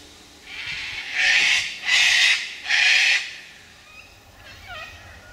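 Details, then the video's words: Sulphur-crested cockatoos performing aerial antics in gum trees at Middle Path; three loud, harsh, broadband screeches about a second each, evenly spaced, followed by fainter calls from other birds. "Sulphur-crested Cockatoos at Middle Path"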